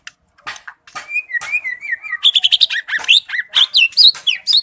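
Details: A white-rumped shama (murai batu) sings energetically, wavering whistled notes building into a dense, fast string of high chips, trills and looping whistles.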